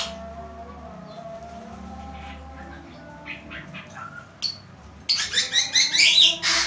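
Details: Bird described as a vigorous, constant singer; low hum and faint scattered notes for five seconds, then a loud burst of rapid, harsh, buzzy high notes repeated in quick pulses until the end.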